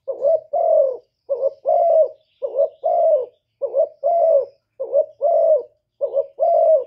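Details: Spotted dove decoy, Cà Mau, Vietnam, cooing to draw in wild doves: evenly paced pairs of soft low notes, a quick short coo then a fuller falling one, repeated about once a second.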